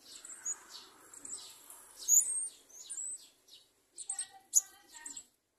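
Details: Garden sunbird feeding its young, said to be threatened by locusts; high thin chirps and short downslurred notes scattered through, then a cluster of sharper high tweets near the end.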